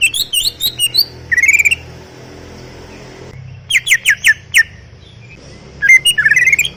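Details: Greater green leafbird singing in short bursts of sharp whistles and a buzzy rising trill, separated by pauses, over a steady low background hum.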